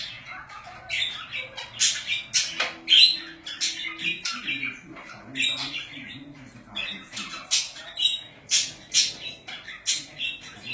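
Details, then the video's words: A group of pet budgies chatters continuously. Quick scratchy tweets, squeaks and short harsh squawks tumble out in a rapid, irregular stream of twittering. "Budgies / Parakeets / Wellensittiche"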